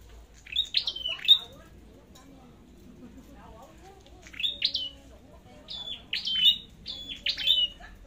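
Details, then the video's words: Red-headed flowerpecker in competitive duel singing: bursts of sharp, high chipping notes with short descending whistled slurs, given in clusters of two or three with pauses between, plus faint low background noise. "Chim Sâu Đầu Đỏ Hót Đấu"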